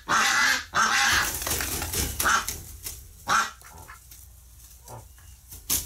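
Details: Agitated ducks after a flock member died in the hospital, November 30, 2018: a few loud, raspy quacks at the start, then sparse, fainter calls with background rustling.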